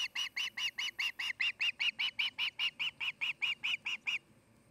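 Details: Nesting osprey at Charlo, Montana, during the breeding season: a run of about twenty rapid, piercing chirps at an even tempo, then quiet at the end.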